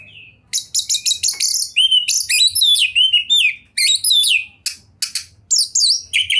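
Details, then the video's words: Oriental magpie-robin, a singing-contest bird in full voice with a varied repertoire: dense, rapid song of sharp chips mixed with clear sliding whistles and warbled phrases, delivered almost without pause throughout. "OCEHAN KACER TOP, GACOR DORRR"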